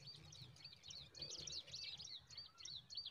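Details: Zitting cisticola nest scene, a parent feeding newborn chicks a huge mantis: sharp, high chirps tumble out in a fast, uneven run across the whole moment, with faint low background noise.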